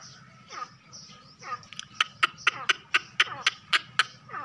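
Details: Partridge call used as a trap lure to draw birds in: a few soft descending notes, then a run of sharp, loud, clipped notes repeated about four times a second.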